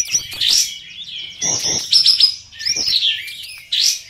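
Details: Contest kapas tembak bulbuls, four winners dueling in session 1 of an online singing competition, deliver bursts of loud, high, slurred whistles and trills separated by brief pauses, with scattered sharp ticking notes between phrases.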